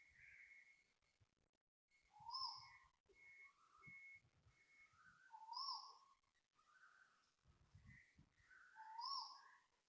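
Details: Loud Asian koel calling at dawn, 6.23am on 13 December 2025, by housing blocks in Toa Payoh, Singapore: three strong rising whistled notes about every three seconds. Thinner chirps from other birds fill the gaps, with low traffic rumble.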